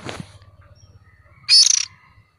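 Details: Juvenile oriental magpie-robin calling, a recording used to lure birds: one short, loud, harsh rasping burst at mid-clip, preceded by a faint noisy note, over a steady low hum.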